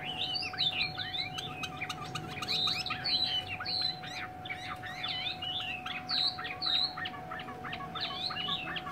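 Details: Chinese hwamei pouring out a rich, varied song of loud whistled phrases, swooping up and down and rarely repeating, over a steady low electrical hum and soft background noise.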